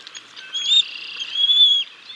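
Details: Evening meal at the Decorah North bald eagle nest, 6 May 2022, the father feeding chicks fish: a drawn-out, high, steady whistle, thin and piping, held for over a second after a shorter note.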